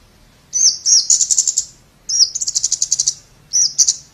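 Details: Scarlet-backed flowerpecker song: a high thin note that runs straight into a fast, evenly pulsed trill, two such phrases then a short third, all very high-pitched against a quiet background.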